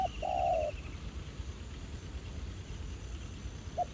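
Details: Spotted dove at a decoy trapping site, a wild bird said to be quite aggressive; a single long low coo near the start with a brief note at the end, and a soft high trill.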